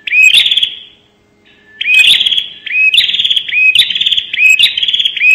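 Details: Bar-winged prinia lure call, called prenjak nembak: loud, sharp high bursts repeated roughly every second, each a buzzy rapid trill with a clicking onset, followed by quiet ringing tails.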